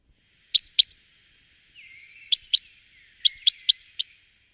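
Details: Common Chaffinch, whose voice is a distinguishing feature: sharp high chips in pairs and a quick triplet, with faint thin level whistles between them, in otherwise quiet surroundings.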